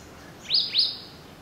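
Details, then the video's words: African pied wagtail recorded at Gisenyi, Rwanda, March 2013, giving two loud, clear upslurred chirps about a quarter second apart, sharp and high, against a quiet background. "Bergeronnette pie (Motacilla aguimp) African Pied Wagtail"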